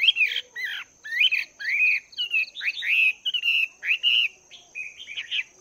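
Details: Two months into cage life, a Chinese hwamei trains its song in the morning, pouring out continuous loud, fluty phrases that swoop up and down with little pause, over a steady thin high tone.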